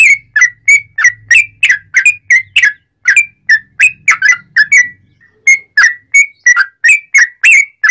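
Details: Sooty-headed bulbul song, a loud rapid series of whistled up-and-down notes with a short break midway, recorded as a master song to get other bulbuls singing. A faint low hum runs through the first half.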